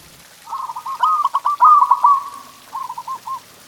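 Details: Local zebra dove giving a masteran song to stimulate pet doves: one stuttered coo phrase that rises into a loud rolling trill, followed by a softer short tail of notes.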